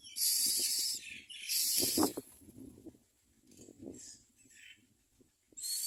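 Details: Common myna chicks in the nest, begging as they are fed big food by their mother, give loud, harsh hissing bursts, two long ones and then a short one, with soft rustling and faint clicks between.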